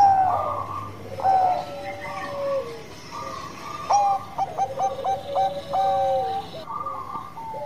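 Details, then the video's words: Zebra dove of the Bangkok type singing its cooing song as a lure for other birds: layered mellow coos at two pitches, short rapid clipped notes near the middle, then level held tones, over a low background hum. "Perkutut Banngko Gacor Suara Bekur Ampuh buat Pancingan"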